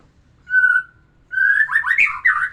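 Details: Song of a white-rumped shama used to bring a female into breeding readiness: one pure held whistle, a pause, then a rising whistle breaking into quick rich warbling phrases.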